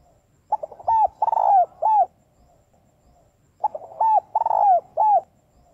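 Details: Female spotted dove (cu gáy) calling to stimulate males: two loud, low, hollow cooing phrases about three seconds apart, each a quick stutter of short notes followed by a longer swelling coo and a final clipped note, over a quiet background.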